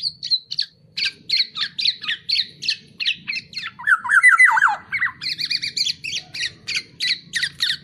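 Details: Black-naped oriole used as a tutor recording for songbirds; a harsh, nasal squawking note repeated about four times a second, with a brief slurred descending phrase in the middle and a low indoor hum beneath.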